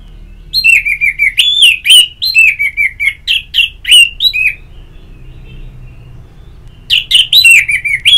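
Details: Orange-headed thrush song played as therapy to stimulate a caged bird to sing: clear, loud phrases of short slurred whistles and chirps in quick bursts, a pause of about two seconds, then the phrases resume, over a faint low hum.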